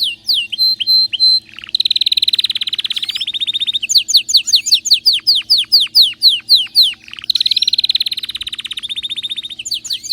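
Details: Loud, excited canary song: brief high notes, then a fast even trill, a long sequence of sharp descending sweeps at about four per second, and another rapid trill.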